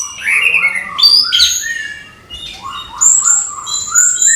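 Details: An orange-headed thrush gives morning song: warbled whistles stepping up and down, a brief pause, then a run of level low notes under thin, high sustained whistles.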